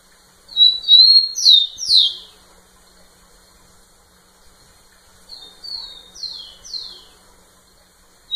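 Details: Two songs from a rufous-collared sparrow courting a female up close: the first loud, a high whistle then two strong falling slurs; the second quieter, a chain of four soft descending whistled notes.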